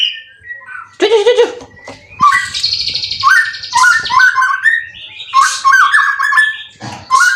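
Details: White-rumped shama, a caged competition bird in Indonesia with twelve wins, delivering harsh churring bursts mixed with warbled whistles and fast high trills in loud separated phrases.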